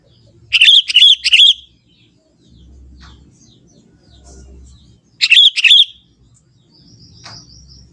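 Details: Sooty-headed Bulbul, young and wild in forest, delivers natural song: a chattering run of three rapid liquid notes, a pause of several seconds, then a shorter two-note bubbling phrase, with a faint high twitter afterward.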